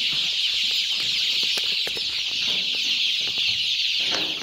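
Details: Steady high-pitched cheeping from a crowd of two-week-old improved Kienyeji chicks at a poultry farm in Kenya, busy running about after a good feed, with occasional clicks and brief low thumps mixed in.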